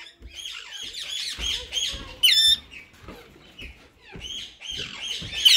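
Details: Captive rose-ringed parakeets, a white male and a green bird, in talking mode: quick, high chirps and squeaky warbles, broken by one loud, harsh screech near the middle; no clear words come through.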